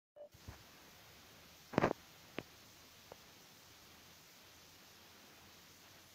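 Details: Near silence with a few brief knocks and clicks over a low, steady background hiss.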